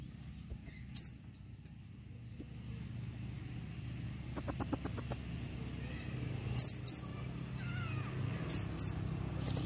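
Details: Female blue-crowned hanging parrot calling, 2021: scattered very high, thin chips and short trilled notes, a quick rattle of clipped chips midway, against steady low hum throughout.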